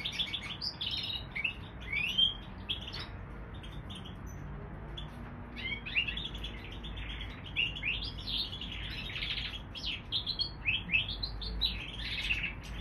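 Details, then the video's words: Canary crossed with bullfinch giving a long, continuous twittering song of rapid chirps, trills and upward-sweeping whistles, fairly steady in loudness, with a faint low rumble beneath. "Mulet canaris bouvreuil"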